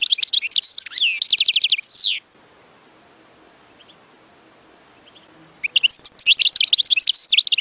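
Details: Chick-teaching song from a European goldfinch billed as the world's costliest: a run of rapid, evenly repeated chirps and trills, about three seconds of silence, then a fresh burst of busy twittering.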